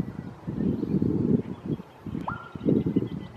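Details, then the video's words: Male musk duck breeding display, courting: low thumping splash bursts, then one sharp whistle that rises quickly and holds steady, followed by more splashing; species native to southern Australia. "Musk Duck Breeding Display/Call"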